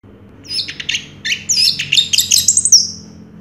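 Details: Orange-headed thrush, a first-place contest champion of 2022, singing a rich, varied phrase of quick whistled and chattering notes, with sliding high trills that climb toward the end. Faint low hum in the background.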